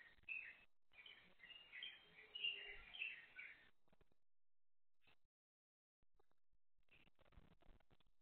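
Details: A pair of crested mynas at a feeder, one eating while the other keeps watch, one with more obvious white head feathers; bright chirping calls in quick irregular bursts for about four seconds, then near silence with a few faint clicks.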